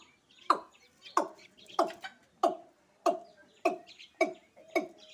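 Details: Watercock giving nine hollow, resonant, gulping notes, spaced about two-thirds of a second apart, with faint background bird chatter; recorded in Sylhet, Bangladesh.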